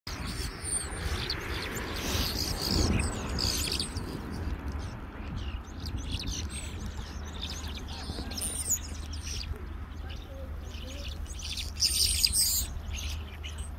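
Starlings chatter in a loose jumble of clicks, wheezes and bright whistled bursts, set against a steady low hum of background noise.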